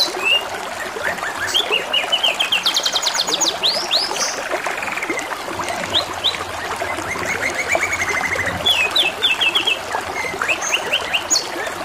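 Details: Lengthy canary song phrase with constant gurgling water: quick repeated-note trills, a rattling burst of fast sweeps, buzzy rolls and scattered high chips follow one another.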